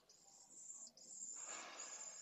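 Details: Nestling pallid swifts begging for food, live nest camera at Esclavas de Jerez, Jerez de la Frontera, 8 September 2022: one long, very high, thin trill broken by a short pause, with broad rustling noise rising midway.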